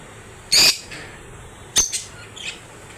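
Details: Lovebirds letting out a loud, piercing, rasping shriek, followed after a pause by a shorter harsh squawk and a quieter trailing chirp, over a steady hiss.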